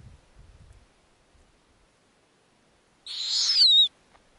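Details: Snowy owl owlets in their Arctic nest, their mother feeding them lemmings. Faint low rustling, then a single loud, hissing screech of nearly a second with a thin, falling whistle running through it.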